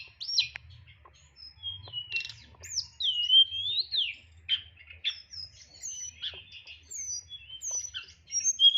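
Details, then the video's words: White-rumped shama in a cage delivering nyeklek-style song: loud slurred whistles, sharp chips and varied short phrases with pauses between them. "TLEDEKAN NYEKLEK BONGKAR ISIAN"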